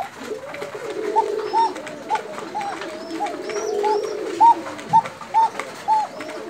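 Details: Low rolling coos from a Bashiraj koka pigeon in Tangail fill the opening seconds, then crisp arched notes come in quick succession, with faint high squeaks in the background.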